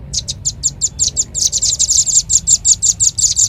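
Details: Bird-luring call of Red-billed leiothrix: sharp high chirps starting spaced, then tightening into a rapid, louder rattle-like series that continues to the end.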